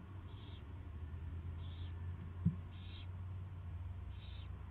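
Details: An owl at its first feeding on 24 February 2016, 2:15 PM, gives four brief raspy high notes at irregular gaps, with a strong low hum and one soft knock midway.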